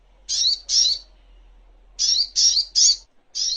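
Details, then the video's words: Little spiderhunter (sogok ontong) giving loud harsh high chips in quick groups of two and three, with a faint low hum underneath, from a master recording for training songbirds. "Masteran Songon(Burung Sogok Ontong)isian Terbaik"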